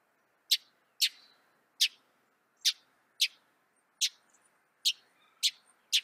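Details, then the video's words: Northern mockingbird of North America uttering sharp, high clicking notes, nine of them at irregular intervals of roughly half a second, over a faint low background hiss. "Veja o canto do pássaro, ave zombeteira"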